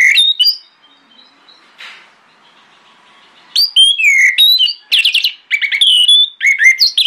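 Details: Lure song of an orange-headed thrush in the morning, meant to prompt other thrushes to answer. Short whistles, then a lull with a faint rustle, followed by dense bursts of varied, rich whistled and chattering notes.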